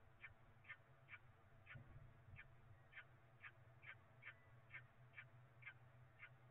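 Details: Peregrine falcon chicks at the Cromer nest on 27 April 2024, fed a pigeon for breakfast: short harsh calls repeated about every half second, steady series over low background hum.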